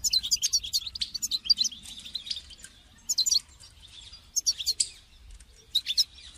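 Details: European goldfinch singing to motivate a caged goldfinch: a long opening run of rapid twittering, then short separate bursts of tinkling, buzzy notes after pauses.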